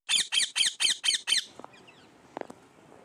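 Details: Pet parrot giving six harsh, rasping squawks in an even rhythm, then falling quiet apart from faint clicks.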